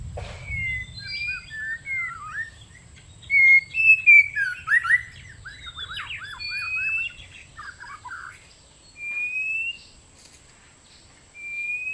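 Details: White-rumped shama song used as a lure for trapping birds: a rich run of varied whistled phrases, slurred notes and quick twitters, bursts of several seconds separated by short pauses, over a faint low rumble.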